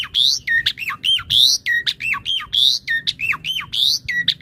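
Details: Asian pied starling used as master song for training birds: rapid, repeated phrases of bright rising whistles and hooked falling notes, roughly one phrase per second, lively and regular throughout.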